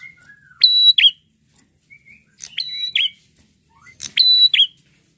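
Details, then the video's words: Three clear prinia phrases spaced about 1.7 seconds apart: a short buzz, a level high whistle and a dropping note, each preceded by a quiet sliding note; red-headed bird. "prenjak apapun langsung nyautt gacor dengan prenjak gacor ini"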